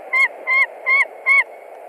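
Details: White-tailed eagle screaming at its Latvian nest on 20 March 2021 when a probable young stranger eagle comes to a branch. Four loud, even, ringing yelps about half a second apart sound against a constant rushing noise.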